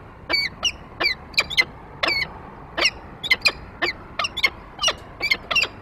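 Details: Male peregrine falcon with prey on the nest grate, 28 February 2023, female following after: about seventeen clipped, harsh calls at irregular spacing, some in quick pairs, over quiet background.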